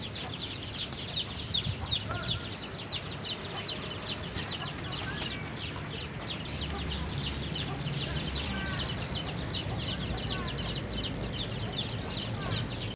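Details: Swiftlets in Indonesia leaving the building where they nest during a power cut that silenced the usual in-room sound; dense high, thin chirps and clicks overlap continuously over a steady low hum.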